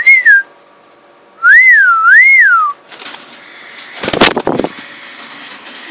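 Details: Two-and-a-half-week-old baby cockatiels with their mother nearby, who turned aggressive; clear, wavering whistles that rise and fall, then a harsh, noisy burst.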